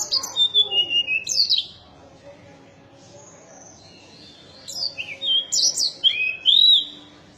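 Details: Mountain tailorbird singing two lively bursts of high, thin whistles, sharp rising and falling slurs delivered rapidly, separated by a quieter stretch of about three seconds.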